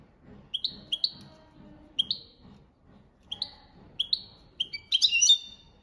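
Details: European goldfinch singing copia malaga training song: paired bright chirps repeated at roughly one-second intervals, ending in a richer twittering flourish, over faint low background noise.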